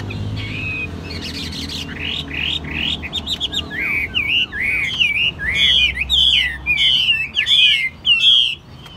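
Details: Chinese hwamei, a bird described as 80% tame, sings loud whistled phrases. A run of rising slurred notes gives way to looping, warbled whistles repeated about once a second, over a faint low hum.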